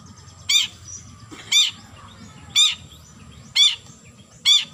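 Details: Long-tailed shrike calling out to a rival: five short, harsh, rasping notes, each a quick broadband burst, spaced about one second apart, over a steady low hum in the background.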